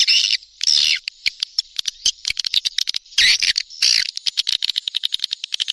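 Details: Swiftlet lure call of the type called SP Neptunus, played to attract swiftlets in the rainy season: bursts of shrill, buzzy chirping alternate with rapid dry clicks, irregular at first, then a quick ticking run toward the end.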